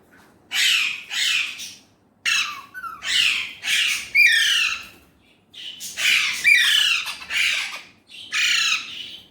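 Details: Talking Indian ringneck parrot, said to speak Urdu/Hindi, utters a string of loud grating high-pitched squawks in two main bursts separated by a short quiet break.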